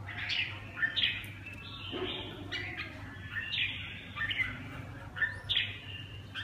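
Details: Red-whiskered bulbul singing in the "cánh 3" performance style: short, clear whistled phrases with sharp upslurs and warbled endings, given about once a second in loose groups, with a constant low electrical hum behind.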